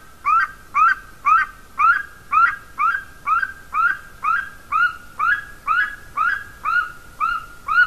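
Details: At a golden eagle nest camera in Latvia, 30 January 2019 around 14:24, with the female present, a golden eagle gives a steady series of thin, upslurred yelping notes, about two per second.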